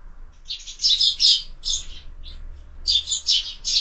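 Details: Morning sparrows gathered at a window-mounted feeder where birds are fed all year; clusters of sharp high chirps, a short pause, then another rapid run of chirping notes.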